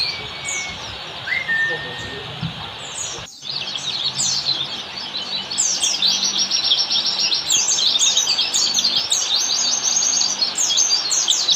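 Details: Master recording of an Oriental white-eye in 'ngalas' wild style for caged-bird training: it opens with a couple of plain long whistles and a brief gap, then dense rapid high twittering takes over and keeps going.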